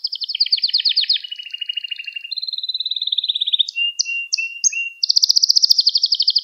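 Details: Pet canary song meant as a lesson for young canaries: a continuous flow of trills stepping down in pitch, clipped whistled notes, then a bright rapid high trill.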